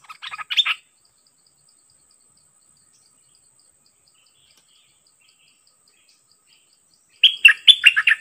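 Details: A Dok Taeng bird, kept as a decoy facing a highly aggressive captured wild bird, gives a brief cluster of rapid chirps, falls silent for about six seconds, then delivers another loud, rolling phrase of chirpy notes.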